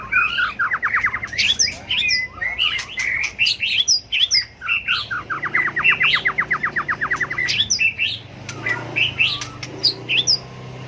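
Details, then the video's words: White-rumped shama trained for fighting-song contests: bursts of rapid, evenly repeated ticking notes forming fast trills, interleaved with higher whistled flourishes, over a faint low background hum. "chòe lửa tạch đuôi hót đấu kích chim cực đỉnh, luyện chim hót đấu hay"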